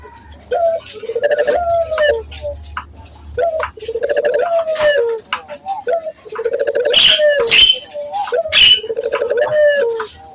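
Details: Barbary dove lure for training local doves: repeated low cooing phrases, each a warbling roll ending in a falling note, interrupted by sharp bright clicking bursts in the second half.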